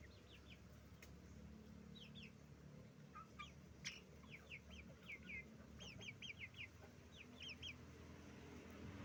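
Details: Chickens, roosters and hens, on a chicken farm: quick bursts of short, high chirps in clusters of three to five, over steady low farm noise with an occasional sharp click.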